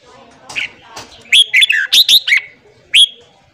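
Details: Red-whiskered bulbul morning song, used to train and fire up newly caught bulbuls: a quiet opening, then a quick burst of bright, looping whistled notes, with one final clear note after a short pause.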